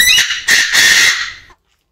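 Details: Male Chinese francolin crowing in an aviary: a loud, harsh, squawking burst with a strong band near the middle of its range. It breaks into a few ragged pulses over about one and a half seconds, then falls silent.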